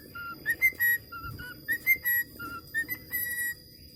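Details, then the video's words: Australian parakeet, a budgerigar, practising whistles: a quick series of pure, level whistled notes alternating between two pitches, several held briefly, with a steady thin hum behind. "BURUNG PARKIT AUSTRALIA BELAJAR SIULAN"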